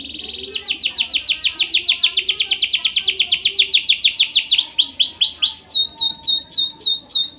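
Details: Domestic canary singing: a long fast trill of rapidly repeated rich notes, about five per second, shifting near the end into higher, more spaced sweeping notes.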